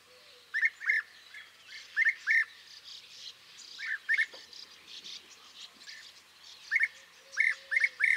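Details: European bee-eater calls: clipped, burry rolling notes given in pairs and small bursts, separated by short pauses, with faint background hiss.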